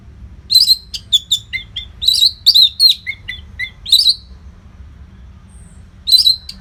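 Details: Singing orange-headed thrush as a training song for competition birds: a lively string of sharp high chirps and downslurred notes for four seconds, a pause, then one more bright burst.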